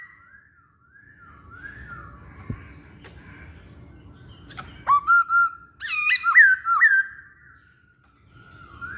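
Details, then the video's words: Lively masked laughingthrush song used to lure other birds: soft wavering whistles at first, then a loud burst of bright ringing notes with abrupt upward-jumping starts, fading back to quiet whistling over low background hiss. "Burung Poksay Hongkong Gacor"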